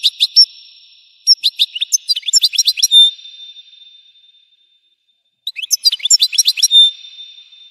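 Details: Goldfinch song described as explosive: quick chains of sharp, high twittering notes with a sustained bright tone near the end of each phrase, two phrases divided by a pause of about a second.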